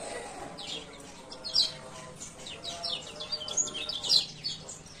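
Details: Male kecial kuning (Lemon-bellied White-eye) from Lombok, ciak ciak calls meant to lure lazy birds into song. Soft, fairly faint high chirps scattered through a hissy background with a low hum.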